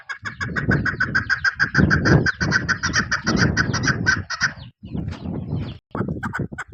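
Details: Female chukar partridge used for hunting utters quick repeated clucks over heavy low rustling and knocking noise, the series breaking off and restarting near the end.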